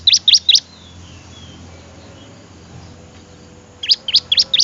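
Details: Bar-winged prinia song, recorded for training other songbirds: a quick burst of three sharp, high chirped notes, a pause of about three seconds, then four more similar chirps in brisk succession.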